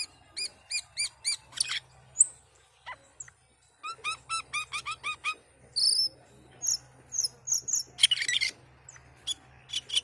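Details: Asian pied starling in full, vigorous song: rapid bursts of stacked, ringing notes, then a run of quick upswept chirps, a harsh buzzy rasp and bright high whistles. A steady low hum runs through the recording.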